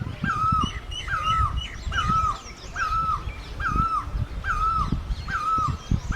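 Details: Asian great barbet calling steadily, seven upslurred then falling notes about a second apart, with thin high chirps from other birds and low rumbling background noise.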